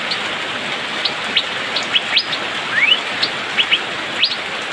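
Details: Asian fairy-bluebird in the rainy season giving spaced sharp whistled upsweeps and one longer rising slur, roughly two notes per second, with steady rain hiss beneath.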